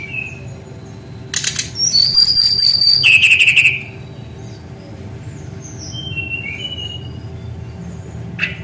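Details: Caged Brown-chested jungle flycatcher singing steadily and rolling, played to train other birds: a dense burst of high whistled phrases and buzzy trills, then softer scattered notes over faint low hum.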